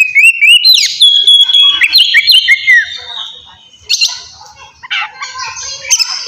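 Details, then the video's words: Oriental magpie-robin singing loudly in its 'ngeplong' fighting style, a lure for rousing aggression and mating mood in young birds. Clear rising and falling whistles for three seconds, then quieter, scattered sharp notes and short bursts. "KACER NGEPLONG GACOR TARUNG!! INI AMPUH BUAT MANCING EMOSI DAN BIRAHI KACER BAHAN"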